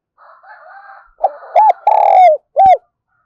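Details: Decoy spotted dove in the spirited 'thổ pha thúc' voice, used to stimulate and train decoy birds. A quiet, wavering drawn tone comes first. Then one loud phrase follows: two short looping coos, a long rolling coo sliding down, and a clipped closing note.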